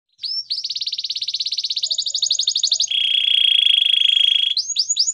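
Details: Canary song used for training canaries: a rapid rolling trill of repeated high notes shifting upward in pitch, then a long steady buzzy high trill for over a second, ending in quick swooping whistles.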